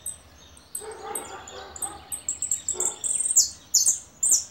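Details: Caller goldfinch opens with scattered thin high chips, then breaks into loud, rapid twittering bursts and sharp down-slurred notes, with a brief low murmur in the background near the start.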